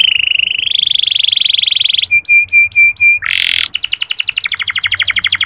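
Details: Indonesian local canary in full song, used to stimulate other males: a drawn-out steady buzzy note, a row of five short clipped chips, a harsh burst, then rapid repeated rolling trills.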